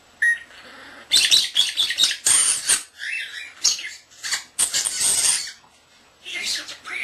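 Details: Indoor pet common starling, not yet a year old, imitating sounds: rapid bursts of rasping, clicking chatter and hissy notes in quick runs with short gaps.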